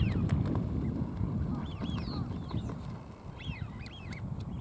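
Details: Male American wigeon at a marsh on a sunny day: soft, short whistled notes, some rising then falling, given in small clusters over a steady low rumble of wind or background noise.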